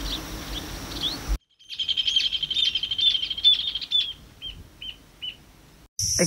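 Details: Checkered woodpecker (Dryobates mixtus) singing a fast, high, chattering rattle of about two seconds, then three or four separate notes, in the wetland area of Punta Indio, Argentina, in autumn; a species characteristic of the area.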